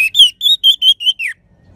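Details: Orange-headed thrush from Bali singing a phrase meant to trigger song in other birds: six loud, clear whistled notes in quick succession, the last sliding downward, then silence.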